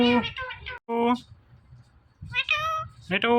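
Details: Talking pet Indian ringneck parrot: word-like harmonic syllables at start and end, with a nasal, wavering meow-like call in the middle, over quiet room noise.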